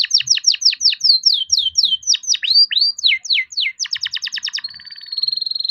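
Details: Young canary bred in captivity, singing eagerly as a lure for reluctant canaries: a run of quick downslurred whistled notes, then hooked upsweeps, a fast staccato trill, and a steady buzzing roll to finish.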